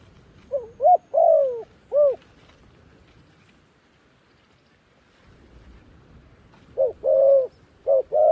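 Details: Decoy dove luring wild doves to a snare utters a burst of low cooing notes, short clipped coos around a longer one, falls silent for several seconds, then starts a new cooing phrase.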